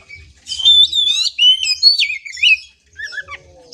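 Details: Oriental magpie-robin singing a rapid run of loud slurred whistles and warbles for about two seconds, pausing, then adding a few softer high notes; a faint low thumping is beneath.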